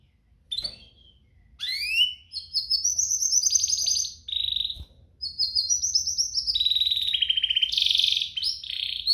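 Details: Canary song, used to prompt canaries to sing and as a tutor for young canaries. It opens with a high chirp, then rising sweeps lead into long, high, rattling trills that change pitch from phrase to phrase. A faint low hum runs underneath.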